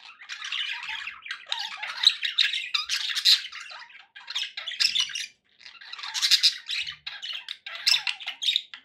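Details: Group of pet budgerigars giving rasping warbles and sharp squawks in bursts, with two short gaps where the chattering briefly stops.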